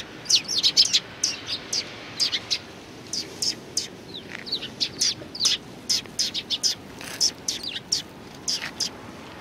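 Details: Several sparrows from a neighbouring flock at a Tenmangu shrine in Japan, 14 March 2019: busy overlapping chirps and twitters, uneven rhythm, steady through the recording.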